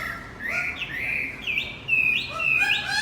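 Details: Javan white-eye song used as a lure for a male that has stopped singing: high, thin whistled phrases gliding and wavering, with short rising and falling notes strung together and brief pauses.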